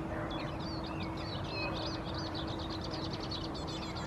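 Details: A male house sparrow perched in a bush in Helsinki, Finland, in April gives a steady run of bright, varied chirps, some falling, others rapid and buzzy toward the end, over constant low traffic rumble and other birds.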